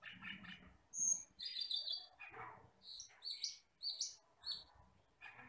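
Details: Asian glossy starling, a black, red-eyed forest bird, delivers scratchy notes and then a series of sharp high whistled chirps, roughly two per second, over faint low background noise.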